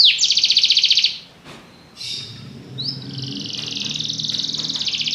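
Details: Belgian canary giving a high rapid trill, a short pause with faint sounds, then a rising note leading into a long, steady, fast trill.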